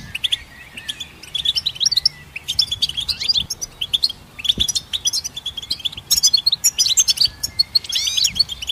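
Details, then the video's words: Goldfinch song as a lively stream of high twittering notes, bright chips and quick rising and falling slurs in bursts separated by short pauses, ending in a few sweeping upslurred notes. "Goldfinch Symphony orchestrated by nature's motivational melodies"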